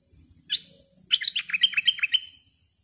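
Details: Bulbul song: a brief chirp, then a quick run of clear whistled notes with rising and falling slurs, five or six notes at a steady pace, sharp and bright, without any background noise.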